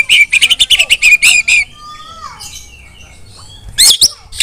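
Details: Female white-rumped shama calling other shamas to sing, opening with a quick series of about twelve short buzzy notes, then faint soft whistles and a pause before two loud harsh bursts.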